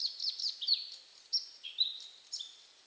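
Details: Bluethroat singing from bushes in Poland, a varied run of high twittering and whistled phrases with quick slurred notes and short sharp accents, some mimic-like.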